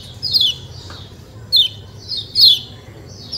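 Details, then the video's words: A kecial kuning white-eye gives softer, spaced 'ciak ciak' chirps: single high, downward-slurred notes every half second to a second, one louder near the end, over a steady low hum. "ciak ciak jos kecial kuning suara alam"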